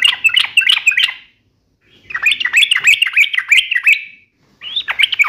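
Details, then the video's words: Yellow-vented bulbul in sharp gacor song, uplik nembak ropel tajam style: three bursts of fast, bubbling, slurred whistles separated by short pauses, with faint low background noise. "trucukan gacor UPLIK NEMBAK ROPEL TAJAM"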